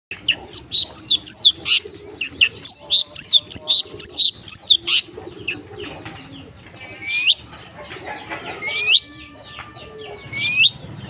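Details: Long-tailed shrike, known locally as centet, singing a full, varied repertoire: sharp high chirps and quick rising whistles in fast bursts, then louder upslurred notes spaced about every second, with faint tonal sounds behind.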